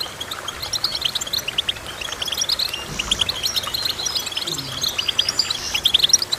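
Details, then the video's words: Goldfinch twittering steadily with thin, rapid chirps and short trills, somewhat quieter at the start, with a soft low murmur partway through. "Goldfinch Chirping"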